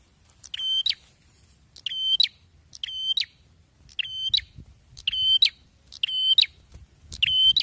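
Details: Loud, active song of a bar-winged prinia, sharp buzzy phrases repeated roughly once a second with slight irregular gaps and soft low background noise.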